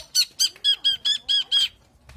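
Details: Long-tailed shrike (cendet) from Indonesia: seven harsh, squeaky, buzzy notes given in quick even succession, about four per second, each rich and ringing, then the phrase stops; a quiet room with faint background rumble.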